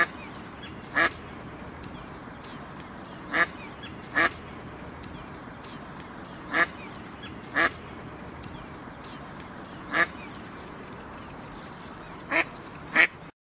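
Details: Duck coming out of bushes, giving short, harsh quacks singly or in close pairs, about nine spread unevenly through the stretch, over a constant background hiss.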